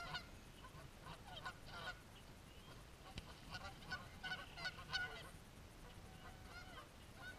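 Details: Fighting geese trade rapid, irregular honks and squawks, roughly three per second at the busiest, with louder cries near the middle and a sharp click, over low steady rumble.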